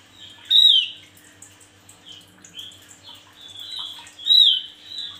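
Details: A male Javan grey-throated white-eye sings actively. Soft, short whistled notes are scattered between two loud, sharp, falling chirps, the first near the start and the second near the end, over a faint background hum.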